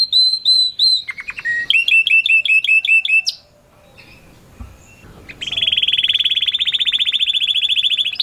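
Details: Canary singing loudly: repeated clear whistled syllables, then a fast series of bright trilled notes, a brief quiet gap, and a long rapid buzzy rolling trill held for nearly three seconds.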